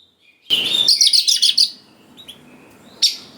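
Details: Oriental magpie-robin in vigorous song, used as a lure to provoke young wild-caught birds into answering: a dense, buzzy run of rapid high chattering notes for about a second, then a sharp isolated note after a pause.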